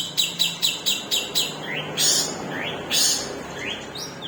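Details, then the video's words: Long-tailed shrike, a caged bird with a split beak, singing a long-delivery song: a run of seven sharp, evenly spaced chips, then broad harsh bursts and short rising whistled slurs, over a faint low hum. "CENDET MEWAH PARUH SOBEK | TEMBAKAN PANJANG"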